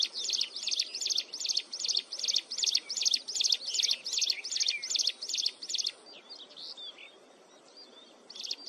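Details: Mountain wren giving a continuous, shrill song: a bright high chirped phrase repeated about two and a half times per second for six seconds, then softer scattered twitters and a last phrase.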